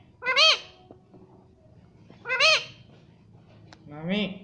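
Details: Ringneck parrot at home mimicking speech, apparently repeating "mommy": three separate arched, nasal, voice-like syllables about two seconds apart, each rising then falling, in a quiet indoor room.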